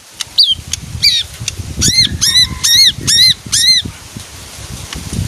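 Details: Leafbird giving a short run of loud, harmonically rich arched notes, about five in quick succession, over a low rumbling background noise.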